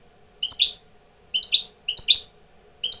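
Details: European goldfinch used as a tutor bird, coming into breeding condition, uttering four quick liquid twittering bursts, each a tight cluster of high chirps, in a quiet setting.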